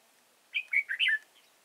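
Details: A single brisk warbled phrase from a decoy red-whiskered bulbul in a trapping setup at Chùa Hương on 31 March 2018: four rapid rising-and-falling liquid notes in about seven tenths of a second, otherwise quiet.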